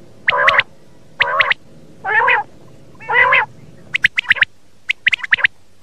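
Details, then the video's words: Common quail lure for morning hunting: four nasal, buzzy notes of similar length about one per second, then a rapid burst of short, sharp, high clicks and notes. "Batair ki awaz subah shikar k leye"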